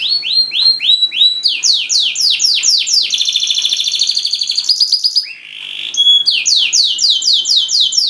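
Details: Energetic canary song meant to get silent canaries singing, made of rolling phrases of sharp downward-sweeping notes, a buzzy trill, a brief pure whistle and a rising slur, then more falling chirp runs.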